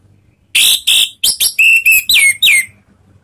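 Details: Orange-headed thrush (Anis Merah) ngeplong lure song used to provoke singing: loud harsh buzzy notes followed by clear steady whistles and two downward-sliding slurs, delivered rapidly.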